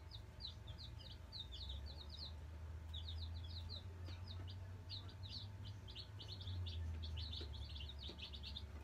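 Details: Chicks of the Black Australorp breed, nine fresh arrivals settling into a brooder, peep in rapid clusters of high thin notes, several a second, against a loud low mechanical hum.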